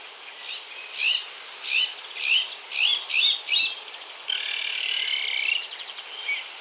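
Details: An Iberian magpie, a highly gregarious bird found only in the Iberian Peninsula, gives a run of six harsh, raspy notes about half a second apart, then a longer drawn-out buzzy rasp, over a faint steady hiss.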